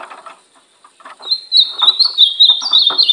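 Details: Brown ultramarine grosbeak kept for training: after clattering household noises, a rapid run of high, sweet, slurred warbling notes continues to the end over faint background knocks.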